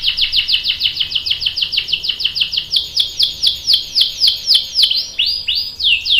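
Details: Canary song in the rolling ngerol style, with a young male answering: rapid descending whistled notes repeated about four times a second, ending in a few higher, rising upslurred notes.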